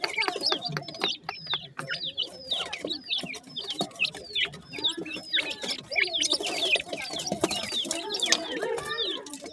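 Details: Grey francolin chicks just after hatching, calling for the mother hen. Many shrill descending peeps come in quick, ragged bursts, mixed with soft lower clucks and frequent clattering clicks.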